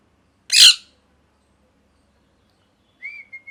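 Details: Pet parrot, molting, giving one loud harsh broadband squawk, then after a pause a short whistled note near steady pitch with two quick chirps at the end; quiet room otherwise.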